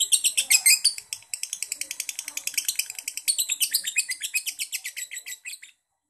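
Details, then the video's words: A yellow fighter lovebird chatters in semi-konslet style, a quick stream of piercing high notes with one short break near one second, ending in silence after about five and a half seconds. "Yang Kuning Yang Asik l Lovebird Paskun Fighter Semi Konslet"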